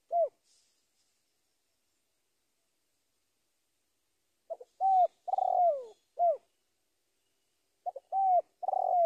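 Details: Spotted dove calling a rival, silent for several seconds, then two bursts of quick coo phrases with short notes, a longer coo sliding downward, and a clipped final note.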